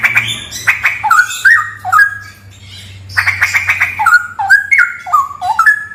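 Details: From a haunted cave, a straw-headed bulbul gives rasping chatters followed by melodious stepped whistles that rise and fall, over a faint low droning hum.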